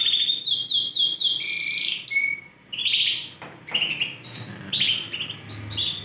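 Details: One of four healthy, big-sized Romeo-coloured Yorkshire canaries sings a long, varied song: fast repeated high trills, rapid chips and short warbled phrases with a brief pause near the middle.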